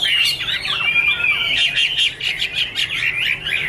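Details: Chinese hwamei song with bright whistled slurs followed by a fast run of short, harsh, repeated chattering notes, loud and close.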